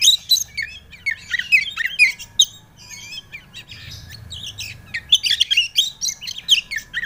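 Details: White-rumped shama song used as a lure for a young bird: a restless mix of whistles, sharp chips and buzzy trills, loudest at the start and end, with a quieter spell in the middle.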